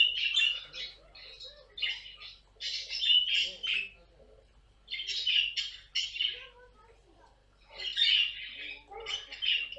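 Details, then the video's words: Screeching pet caique parrot: clustered bursts of loud, grating squawks separated by brief quieter gaps with faint soft notes, the groups coming every two to three seconds. "попугай каик!"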